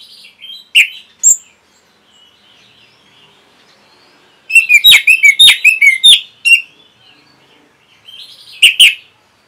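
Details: Orange-headed thrush song for training caged birds: scattered whistled notes, then a loud run of rapid sharp chattering phrases in the middle, followed by a pause and a final brief burst.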